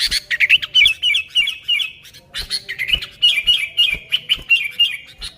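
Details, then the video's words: Sooty-headed bulbul in vigorous song, recorded without additions as a lure for its own kind: two runs of fast, bubbling whistled notes, each broken by sharp dry clicks, with a short pause between. "Suara Burung Kutilang Gacor ASLI Tanpa isian, Ampuh untuk Pikat Kutilang bikin kutilang Ribut gacor"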